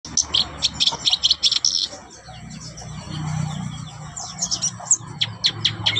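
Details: Black-browed babbler singing actively: bursts of sharp, high chirps and short trills in quick runs, a brief lull with low background rumble, then another series of clipped high notes.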